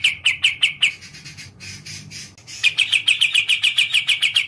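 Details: Kapas Tembak bulbul singing a fast series of sharp, bright chirps at about two per second, pausing briefly mid-phrase for a softer, rougher stretch before the rapid chirping resumes and continues steadily.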